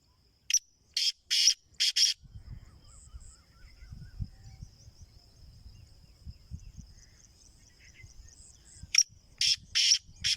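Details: A black francolin for sale utters grating, scratchy note series twice, four or five clipped notes each, separated by several seconds of low background rumble and a persistent shrill whine.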